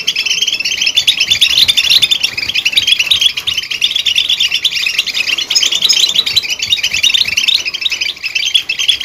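Goldfinch twittering nonstop, a rapid jumble of bright, tinkling chirps and liquid trills, high-pitched and tumbling over each other with barely a pause.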